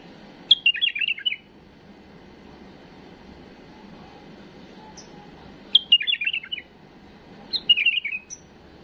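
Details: Tame bulbul singing a flawless song meant for tutoring young birds: three short bursts of bubbly, warbling notes about three seconds apart, each phrase rich and slurred, over a faint steady hum.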